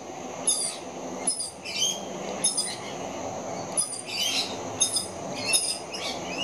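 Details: Two very young rainbow lorikeets screeching for food: short, harsh, high-pitched screeches repeated roughly every half to one second, each a noisy burst with thin whistled overtones, over a steady low background rumble.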